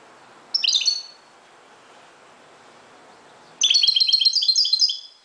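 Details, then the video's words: Moroccan goldfinch at dawn: a short high chirping burst, a three-second pause with soft background hiss, then a longer tinkling, rapidly repeated twittering phrase. "JILGUERO **تغريد حسون مغربي ** CHANT CHARDONNERET MAROCAIN"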